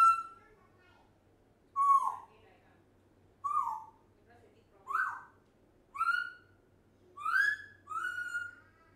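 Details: One-year-old African grey parrot talking: six loud, voice-like phrases, some sliding downward and others rising, spaced roughly a second or more apart, over a quiet low hum.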